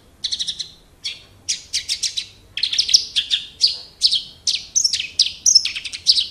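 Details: Javan Horsfield's bush lark of the Wates type, a captive bird in vigorous song: a lively stream of buzzy, bright chirps in uneven groups, some notes sliding upward, delivered with little pause over several seconds.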